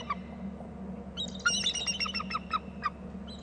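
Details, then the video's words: Bald eagles calling at their nest territory on Hornby Island, two eagles present: a rapid run of high, thin, squeaky piping notes that descends and trails off, over constant low electrical hum. "lots of calling , 2nd eagle"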